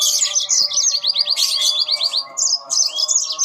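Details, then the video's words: Yellow-fronted canaries singing back and forth: a run of rapid, sweeping high notes, repeated chirps in a quick series, then clear rising whistles, over a constant low humming drone. "burung mozambil saut sautan"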